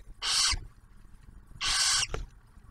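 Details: Barn owl pair at a nest site in Ottawa National Wildlife Refuge, Ohio, as the male brings food for the female and their first hatched owlet. Two drawn-out rasping hisses come about a second apart, with a soft thump after the second.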